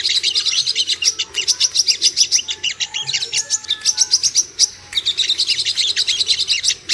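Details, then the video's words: Lure recording of Ruby-cheeked sunbird meant to excite and provoke birds: dense, very high, sharp ticking twitters pouring out in long rapid runs, broken by a brief pause near the five-second mark. "PANCINGAN AMPUH BURUNG SOGOK ONTONG CEPAR EMOSI DAN NAIK BIRAHI"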